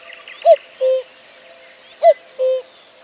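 A cuckoo gives its familiar two-note 'cu-coo', the second note lower, repeated twice about a second and a half apart against faint background hiss.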